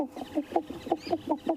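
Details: Hornbills calling near a drainage line in the bush during a January morning safari drive: a rapid series of low, hollow clucking notes, about five or six a second, with faint background rustle.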